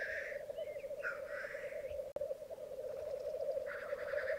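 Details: A black grouse lek on a bog in Mykland on a May 2022 morning, twelve males and two females; throbbing bubbling coos continue beneath a hissing burst, a brief gap, then another hiss near the end.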